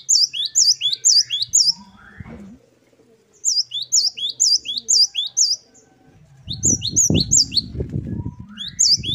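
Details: Great tit, known locally as gelatik batu, singing in the wucit2 style: high two-note phrases repeated in quick bursts, with pauses between runs and a low rumbling background in the closing seconds.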